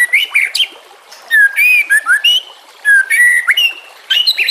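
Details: White-rumped shama singing for training other birds over trickling water: clear sustained whistles, short slurred notes and rich ringing phrases separated by brief pauses.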